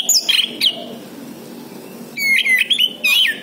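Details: Orange-headed thrush song played as a lure to get other birds to respond: sharp, high, slurred whistles and twisting chirps in short bursts, a brief pause, then more rapid, varied whistled notes.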